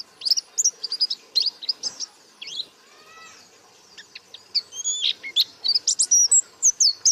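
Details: White-eye singing actively with its beak open: rapid, high, thin chirps and twittering notes with quick slurred whistles, then a pause near the middle with a soft falling note before the chatter resumes.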